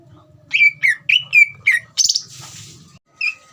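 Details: Ngeriwik singing of a greater green leafbird, played to provoke other leafbirds into singing: five loud, slurred whistles about a quarter second apart, then a short hissing burst and one last note.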